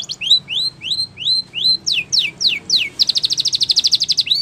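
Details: Spanish Timbrado canary song for training: upslurred whistled notes repeated steadily, a few steep falling whistles, then a fast bright metallic trill of evenly spaced notes.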